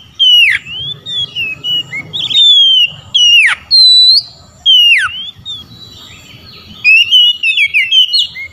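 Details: Oriental magpie-robin calling rivals into answering: several loud, sharply falling and rising whistled slurs spaced about a second apart, ending with a fast warbled run of whistles.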